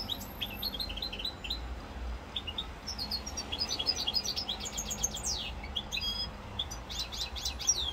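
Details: European goldfinch, Corsica, 7 November 2022, singing bright chattering phrases: quick high chirps building into dense trills and rising-falling sweeps, with constant low hum below.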